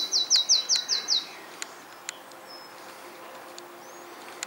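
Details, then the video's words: Unidentified songbird singing in a garden; a rapid run of six high, sweeping notes in about one second, then quiet with a few faint clicks and distant chirps. "(On)bekende zanger in mijn tuin"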